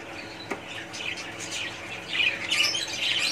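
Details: Colony of budgerigars: softer scattered high chirps at first, then louder overlapping warbling and squeaky chatter in the final second and a half; a faint hum runs in the background.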